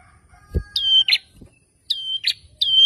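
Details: Male bar-winged prinia in persistent rival-provoking song: three or four sharp notes, each a level whistle sliding into a buzzy burst, over a couple of low knocks.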